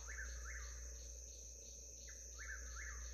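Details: Eastern Whip-poor-will in the Alabama black belt at about 5 a.m., before daylight, giving quick whistled notes sweeping up and down in fast phrases over steady high cricket trilling and a low hum.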